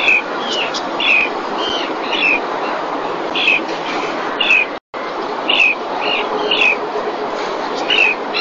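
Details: Common terns on a nesting webcam in Cantabria's Marismas Negras, Spain, 2021 breeding season, as a fish reaches the mother; piercing down-slurred calls roughly once a second, with a brief dropout midway and constant hiss.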